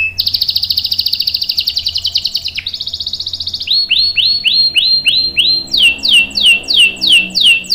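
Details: Long canary roll used to lure and tutor young canaries: an extended rapid, ringing trill shifts to a lower pulsed roll, then turns into repeated arching notes that grow fuller toward the end.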